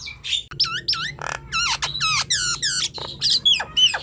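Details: Nias hill myna in vigorous full song, used to lure silent birds into singing: a rapid string of loud whistles sweeping down in pitch, mixed with harsh squawks and a rattling burst, phrases spaced under half a second apart.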